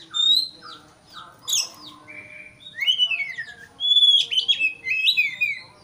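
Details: Oriental magpie-robin giving an emotional, provoking song toward a rival. It has short whistled notes, a steady mid-pitched whistle, then sweeping downslurs and a busy run of quick high whistles and warbles.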